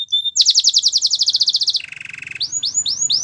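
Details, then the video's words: Belgian canary song for training canaries: a rapid high pulsed trill, a lower buzzy roll, then several rising slurred whistles. "Canary songs for training | Belgian canary singing"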